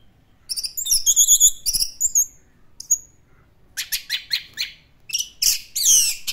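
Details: Orange-headed thrush singing in the classic style, mixing high drawn-out whistled notes with quick chattering bursts and buzzy, sweeping phrases.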